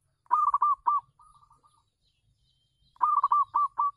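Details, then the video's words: Local zebra dove on a home terrace, singing as a decoy to attract wild doves: quick staccato coos in a short run, trailing into softer rolling notes, then a pause before another fast burst of five or six notes. "perkutut lokal manggung di teras rumah bagus untuk pancingan"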